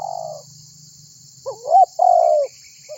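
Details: Spotted dove (tekukur) used as a lure to set other birds calling: the tail of one coo, a pause, then a full phrase with an upswept note and a long falling coo; shrill insects persist behind.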